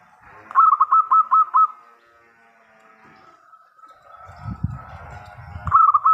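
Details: Local zebra dove singing a rapid string of six staccato, rolling coo notes, then a long even humming tone, low thumping noises, and a final short burst of the same clipped notes.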